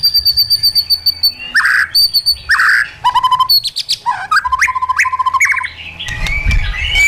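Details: White-rumped shama in captivity singing its wild-style training song, mixing high piping series, burry harsh bursts, rapid rattles and clear slurred whistles in quick succession.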